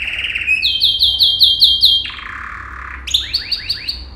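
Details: Male yellow canary singing a training song meant for teaching other canaries: a rapid run of repeated upswept notes, then a lower buzzy tour, then a fresh series of quick rising chips, all high-pitched and clean.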